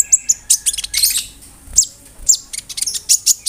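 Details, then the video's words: Konin bird singing its imitative song of cricket and other birds, intended to tutor songbirds such as magpie-robins and leafbirds; clusters of bright, sharp high chirps in short irregular bursts. "SUARA KONIN GACOR ISIAN JANGKRIK, BREM, KAMADE, RAMBATAN FULL MEWAH"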